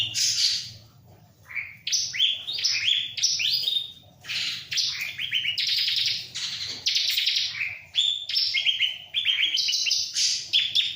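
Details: Bar-winged prinia, known locally as ciblek, singing vigorously alongside a myna: a long, varied sequence of rising chirps and rapid trilled phrases, broken by one short pause.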